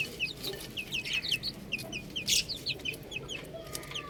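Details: Buff chicks chirping steadily: rapid series of short downward-sliding high peeps, several chicks overlapping, about four or five notes a second, over faint low hum.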